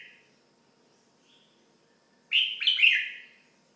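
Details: Pet red-whiskered bulbul giving one loud rollicking phrase of quick, bright slurred whistles, preceded by a faint short note, over a soft low background hum.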